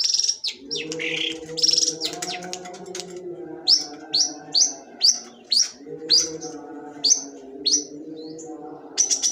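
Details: Long-tailed shrike singing in the sembur style: scratchy, high bursts followed by a run of sharp, downslurred notes repeated roughly every half second, over a steady low hum.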